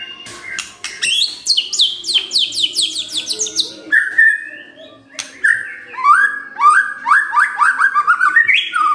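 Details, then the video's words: White-rumped shama in morning song, played to make a quiet bird sing: rapid runs of repeated upward whistled notes, clicks, a long whistle, then another rising series. "Pancingan PAGI-PAGI AGAR MURAI GACOR❗ murai diam pasti ikut NYAUT❗❗"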